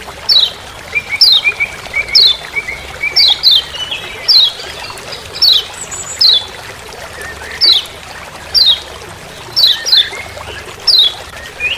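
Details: In a Lombok forest, a Lemon-bellied white-eye repeats its "ciak ciak" call: bright, high, downslurred chips roughly every second for twelve seconds, with faint lower whistles early on and a quiet natural background.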